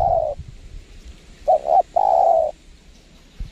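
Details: Spotted dove calling during bird trapping at a windy site: a short coo, then a quick double note and a longer wavering coo, over wind rumble and low thumps.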